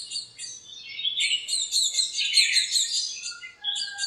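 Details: Sunny morning in a backyard lemon tree crowded with birds; a dense, continuous chorus of very high chirps and twitters from several birds overlapping.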